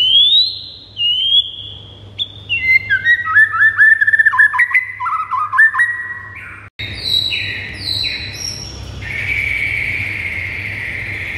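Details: White-rumped shama song, a master recording used to provoke pet birds into singing: clear whistled notes stepping down in pitch, then rapid repeated chips and a harsher, buzzy final phrase, with a steady low hum beneath.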